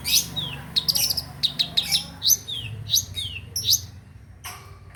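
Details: Long-tailed shrike sound meant to coax a quiet bird into singing. A lively run of thin, high whistles slides down in pitch, mixed with sharp chirps, before ending in a faint rasp.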